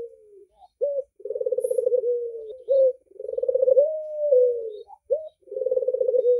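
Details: Red-eyed Barbary dove cooing: low, mellow phrases, each a short clipped note followed by a long rolling, pulsed coo that slurs slightly downward, repeated about every two seconds in a quiet room with no other sounds.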